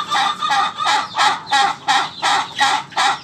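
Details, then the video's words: Ayam ketawa rooster crowing a slower laughing sequence of eight loud, rounded, harmonic syllables, each swelling and falling, spaced a little under half a second apart. "Ayam Ketawa"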